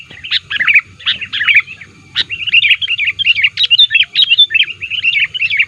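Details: Sooty-headed bulbul calling to lure wild bulbuls, active and pressing opponents: chattering groups of chirps, a brief pause, then an unbroken run of quick bubbly whistled notes.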